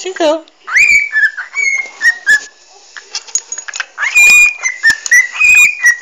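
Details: Pet parrot eager for head scratches, whistling and babbling in a dim room, phone recording; rising whistled slides and steady whistles mixed with chattering sounds and some human talk.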